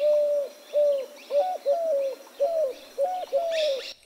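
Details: Eurasian Collared Dove song in neighbourhood scrubland: low, hollow coos about half a second long, repeated steadily, some slightly higher, with faint thin chirps of other birds behind.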